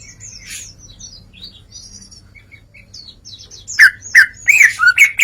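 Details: Greater green leafbird singing in 'ngeplong' style: soft, high thin twitters at first, then loud ringing slurred whistles repeated about every half second toward the end; faint low hum in the background.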